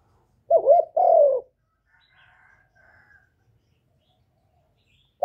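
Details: Spotted dove decoy calling, used to excite newly kept doves. A single phrase of a wavering coo and a longer falling coo, then near silence with faint soft sounds, and another coo starting at the end.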